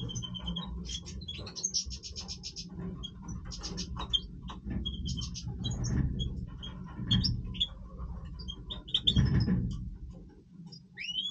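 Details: European goldfinch of the Major type, breeding-season voice: thin twittering and tinkling notes with short buzzy trills in bursts, over a steady low hum and rumbling background noise.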